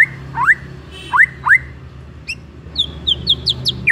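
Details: White-rumped shama singing as a lure to set off another shama: clear rising whistled sweeps repeated about three times, then a quick run of short high-pitched chirps, with a low steady hum behind.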